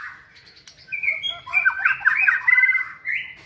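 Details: Energetic song of a white-rumped shama training in a flight cage, a dense, scratchy-and-whistled tangle of fast notes swelling in the middle and ending on a clear higher whistle.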